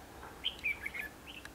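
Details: Red-whiskered bulbul at a trapping site in Hòa Bình, Vietnam, 28 March 2016, where a decoy bird sings to lure wild birds; a short run of clear whistled notes, rising and falling, over low background hum.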